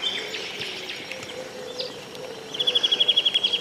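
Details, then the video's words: Birds singing on a riverbank in the morning: scattered faint chirps and a low steady hum give way to a rapid run of repeated high notes near the end. "Paseo entre cánticos de los pajaros en el rio.Walk between songs of the birds in the river."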